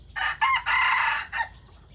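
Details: Rooster of the decoy chickens crowing in the morning: a full crow in four loud, harsh bursts, the longest drawn-out in the middle, then a short final note and quiet.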